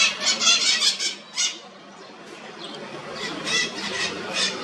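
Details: Toco toucan at Boa Vista, Itajubá, Brazil, gives harsh, raspy croaking notes in quick clusters, a run of several, a short pause, then another burst of grating calls.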